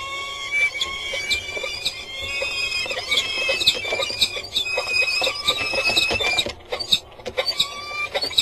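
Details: Peregrine falcons at a water tower in Axel, calling during a prey transfer at 18:42 on 4 May 2015. Harsh, drawn-out, high wailing and squealing calls come almost continuously, with brief pauses and a few sharper notes.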